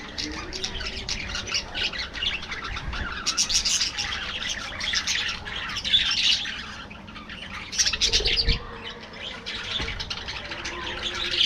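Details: Colony of budgies kept in an aviary, many birds calling together in a continuous high, scratchy warbling chatter with sharp chirps and squawks, louder bursts around the middle and the end.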